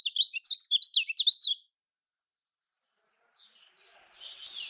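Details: Lemon-bellied white-eye (kecial kuning), Lombok style, used as a lure for reluctant singers: a quick run of high twittering chirps lasting under two seconds, followed by silence and then rising hiss.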